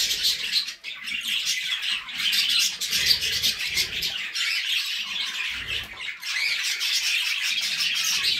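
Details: Budgerigars, with cockatiels also named, in a dense chattering warble of many overlapping high twitters and squawky notes, steady throughout with brief dips in volume.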